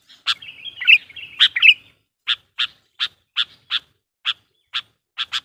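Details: Lure calls of a sooty-headed bulbul, meant to draw wild birds: a brief scratchy warble, then a run of a dozen sharp, harsh chips spaced roughly every third of a second.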